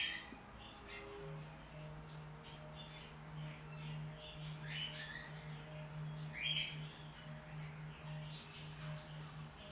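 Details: A 3-month-old male cockatiel, newly rehomed and kept in a quarantine cage, gives soft, scattered chirps and short twittering notes over a steady low electrical hum.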